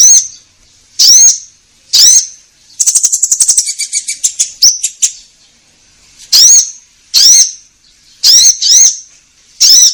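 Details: Konin, the orange-headed thrush, singing actively as a lure for caged birds: loud, rasping upslurred notes spaced about a second apart, broken midway by a fast ticking rattle that slows and fades.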